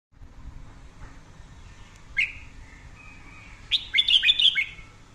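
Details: Red-whiskered bulbul singing a 'căng lửa' (fiery, intense) song used for daily voice training; a brief slurred note, a thin steady whistle, then a loud burst of quick warbled, chopped phrases near the end over low background hum.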